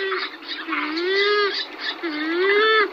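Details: Purple swamphen, several pairs giving various calls and songs: two drawn-out nasal, harmonic-rich wails, each dipping then rising, with a busy background of overlapping chattering notes.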